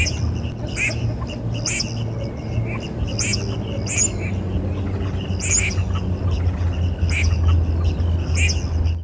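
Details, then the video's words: Red-crested pochard giving short, wheezy, sneeze-like notes about once a second over a steady low rumble. "صوت الونس | Red-Crested Pochard"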